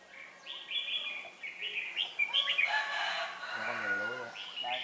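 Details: Red-whiskered bulbul on 4 December 2016, with a decoy singing to challenge rivals during trapping; quick whistled phrases repeat throughout, rising to a dense chattering burst, and a man speaks near the end.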